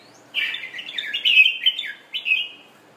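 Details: Red-whiskered bulbul of Thai origin, newly through its moult, delivering one continuous chattering warble of quick tumbling notes lasting about two seconds, closing with a brief separate flourish.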